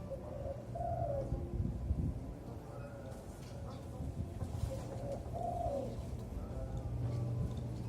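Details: Caged juvenile zebra dove, four to five months old, trained on a raised hoist; two gentle, bubbling coo phrases about five seconds apart, with a low droning hum underneath.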